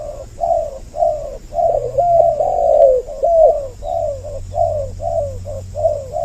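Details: Spotted dove lure recording made to draw in males and females: soft, low coos repeated steadily almost twice a second, with a longer, more drawn-out cooing phrase in the middle and a faint hum behind.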